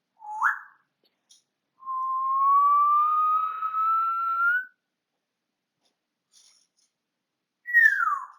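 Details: A pet African grey parrot whistles indoors, prompted to sing songs: a quick rising note, a long pure tone slowly climbing for about three seconds, then a falling slide.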